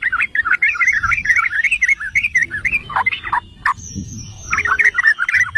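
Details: Yellow-vented bulbul, or trucukan, singing to provoke others: fast rising and falling chattering phrase, a short lull with sharp notes, then renewed bubbling chatter and a thin high whistle.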